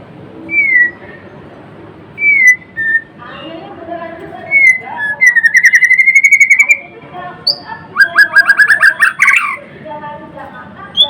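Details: White-rumped shama in full song, known locally as murai batu or murai blorok: clear whistled notes near mid pitch, then a long rapid trilled run and a burst of bright rising notes, with faint low background hum.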